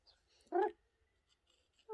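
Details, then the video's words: Pet Amazon parrot indoors, talking: a single loud, voice-like syllable lasting about a quarter second, rich in stacked harmonics, set between quiet stretches of faint room noise. "Very talkative parrot!!"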